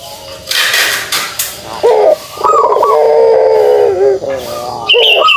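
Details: A kugeruk call from a pelung dove: after some rustling, a short coo leads into a long, rolling, vibrating low coo, then a further short upturned note, with a faint higher chirp.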